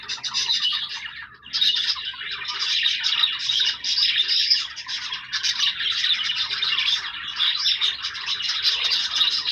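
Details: Pet budgerigars in full chatter, a loud mass of high twitters and buzzy warbles, pausing briefly near the start before resuming nonstop.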